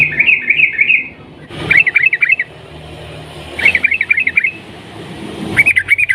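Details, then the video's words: Sooty-headed bulbul (trucukan), a long rolling gacor song used to provoke other bulbuls into singing: bubbly phrases of quick looping notes repeated in bursts, separated by short pauses, with faint low rumble behind. "burung trucukan gacor ROPEL PANJANG nguklik Garuda pancingan trucuk dengan ini agar ikut gacor emosi"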